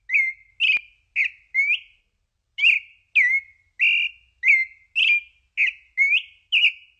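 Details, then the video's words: Song of the pale-breasted thrush (Turdus amaurochalinus), a Brazilian thrush: a run of brief clear whistled notes, some rising and some falling, delivered in quick succession with one pause near two seconds; a faint click early on. "Canto Passaro Sabia Poca"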